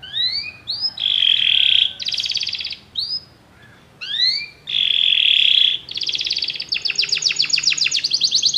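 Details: Many canaries singing together in response to music: short rising whistles alternate with dense buzzy trills and rattling tours, with brief pauses between phrases.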